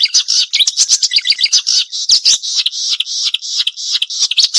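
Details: Continuous sharp, full-variety song of a Marsh warbler used to train songbirds: a dense, high, scratchy jumble of chirps, quick trills and buzzy chattering notes with no pauses.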